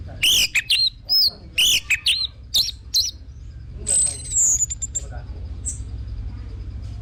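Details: Orange-headed thrush singing to lure others into song: bright whistled notes with rising and falling slurs in quick bursts, then a long descending whistle and a fading thin trill over low background noise.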